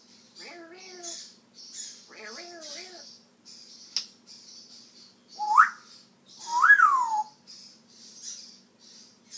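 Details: Talking male African grey parrot imitating words: two brief speech-like phrases with wavering harmonics, then two sharp whistles, one rising and one arching up and falling, between soft hissy bursts.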